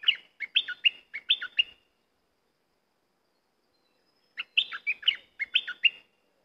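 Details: Cream-vented bulbul singing: two bursts of bubbly, liquid chirped notes, each about 1.5 seconds of quick, jumbled phrases, separated by a long silent gap, with no other sounds.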